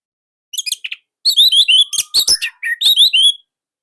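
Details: Orange-headed thrush from Indonesia singing nonstop in a tight, loud style: bursts of sharp, high, slurred whistles and chattering notes, split into short phrases by brief pauses, with one faint low whistle slide between them.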